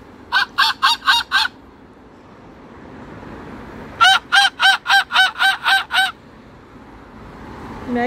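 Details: Moluccan cockatoo raising an alarm at a magpie that landed on the house roof: two bursts of loud, harsh, evenly spaced honking calls, five then nine, with a person laughing at the end.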